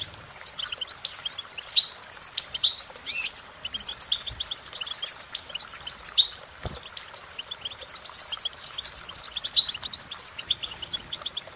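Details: Long goldfinch performance of rapid bright chirps, buzzy trills and twittering runs in continuous phrases with small pauses; a single low knock near the middle.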